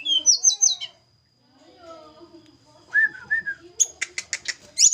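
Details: Javanese mountain snowy-browed flycatcher during pairing. A quick whistled phrase is followed by a pause with soft low voices, then mid-pitched whistles and a rapid series of sharp ticking notes.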